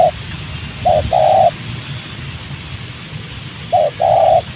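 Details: Cooing of a spotted dove answering a decoy during bird trapping in a rubber garden near a village, even with its leg caught; two short-then-long coo pairs separated by a long quiet gap over low background hum.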